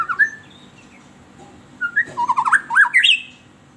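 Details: White-rumped shama song used as a lure for captive birds: a brief whistled note near the start, then after a pause a burst of rapid warbled, rising and falling phrases climbing to a high whistled finish.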